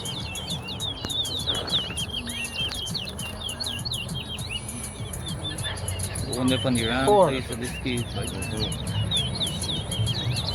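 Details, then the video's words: Large-billed seed-finch (towa towa) in a bird singing competition on the West Side, Guyana. Rapid run of sweeping whistled notes, high and continuous, while a man's voice calls counts in the middle and music plays faintly. "Trevin vs Gope Towa Towa Bird Singing Competition On The West Side"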